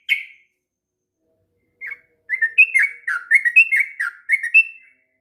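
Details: Sooty-headed bulbul, a long song used to train young birds: one whistle, a pause of over a second, then a rapid run of warbled, bubbly notes before it stops.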